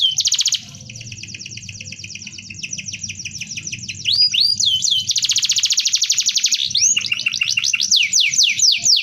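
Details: Canary singing a dense rolling song used for tutoring: fast high trills of repeated notes, a brief pause, then rapid buzzy rolls and looping whistles, with a low hum underneath through much of it.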